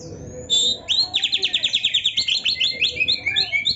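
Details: Kacer (Oriental magpie-robin) singing energetically, a master recording for training songbirds: one high whistle, then a fast rattling run of about twenty buzzy chirps in steady rhythm.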